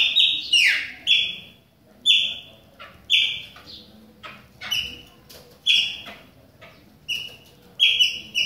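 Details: In rain, a Chopi blackbird gives loud clear whistles, each falling slightly in pitch, spaced about a second apart with quieter chips between.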